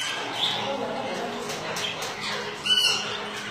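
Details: Lutino Alexandrine parakeet of a kept breeding pair: soft chattering and rustling, then one sudden loud, raspy squawk about two-thirds of the way through.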